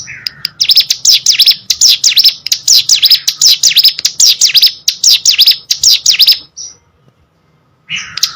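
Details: Captive hill prinia singing vigorously: a fast run of high, sharp down-and-up chirps repeated for about six seconds, a short pause, then the chirping resumes.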